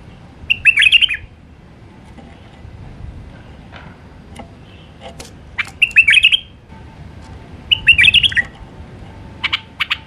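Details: Three bright, warbling whistled phrases from a wild Iraqi white-eared bulbul singing in the Alwazi style, roughly every two and a half seconds, with scattered clicks and a faint steady tone between.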